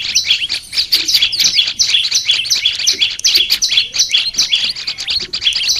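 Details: Olive-backed tailorbird training song from a kept bird: rapid, irregular string of shrill paired notes, high buzz then lower stroke, running throughout at close to three per second.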